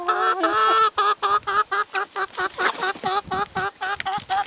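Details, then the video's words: Chickens eating salad and vegetables, giving a steady run of short, tonal clucks about four per second, with a longer, drawn-out cluck at the start and sharp pecking clicks between notes. "CHICKENS EATING SALAD & VEGETABLES"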